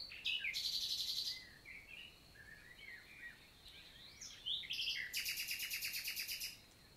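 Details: Common nightingale singing in the morning on 11 June 2023 in countryside forest in the Vallée du Célé, Lot, southern France, in summer: loud rapid trills and rattling repeated notes between sweet whistled and slurred phrases, with quiet background hiss.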